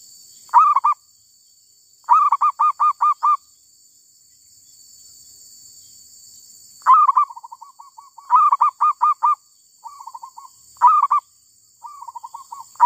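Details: Wild female zebra dove giving bursts of rapid, staccato cooing notes, five to seven per burst, with brief softer rolling trills between phrases; a steady high hiss runs throughout.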